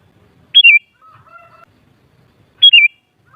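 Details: Two clear, sharp phrases of a sooty-headed bulbul, each falling in quick steps, two seconds apart, with a quieter steady whistle-like tone in between.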